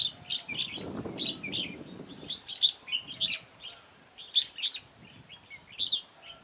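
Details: Red-whiskered bulbul used as a decoy for trapping in a garden, 9 October 2017: short warbled, whistled phrases repeated in quick bursts. A dull low rumble or thumping is heard during the first two seconds.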